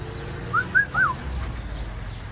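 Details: Friendly, tame pet talking parrot giving three short clear whistled notes in quick succession, each rising then falling, the last slightly longer, over a quiet low background hum.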